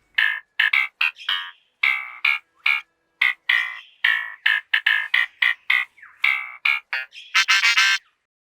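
A lyrebird pours out mimicked sounds: quick, bright, electronic-like bursts in an uneven run, ending in a harsher, ringing flurry.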